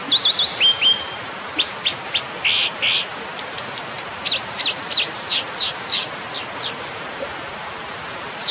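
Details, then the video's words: Brown dipper (Cinclus pallasii) giving sharp, high, buzzy calls and quick whistled notes, irregular and several per second, over a steady hiss of rushing water. "河烏/Brown Dipper"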